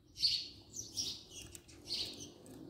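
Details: House sparrow filmed at close range, giving a few short bright chirps spread across under three seconds, with quiet gaps and a faint low background hum.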